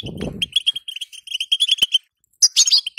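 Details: Female European goldfinch calling, used to stir a caged male to sing: a quick string of high clipped twittering notes, then a short pause and a bright, liquid burst of chirps, with a low rustle at the start.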